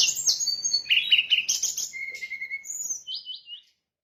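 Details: Lure recording for catching brown-chested jungle flycatcher: a rapid run of sharp high chirps and trills, then drawn-out whistled notes stepping lower, ending abruptly in silence.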